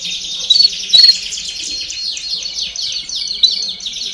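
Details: Domestic canary in baderna song meant to stimulate chicks to sing: a steady buzzy high trill throughout, overlaid with clipped bright whistles near the start and a faint low hum below.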